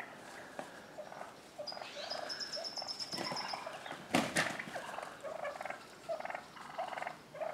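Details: Wild turkey toms fighting in a neighbor's front yard in Willits, Mendocino County, California, with other toms worked up; rapid rattling gobbles in bursts, a thin high whistle partway through, and a sharp thump near the middle.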